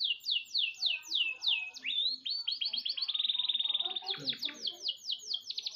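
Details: Canary in full training song for tutoring other birds: rapid rolling trills of repeated descending whistled notes, a long steady buzzing tour, then fast falling sweeps, with faint low background sounds.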